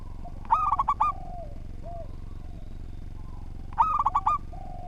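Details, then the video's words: Local zebra dove in lively song, recorded as a tutor song for training other birds. Two phrases about three seconds apart, each a quick run of five ringing, bubbly cooing notes, with soft low coos between over steady low hum. "Perkutut Lokal Gacor Suara Tersusun"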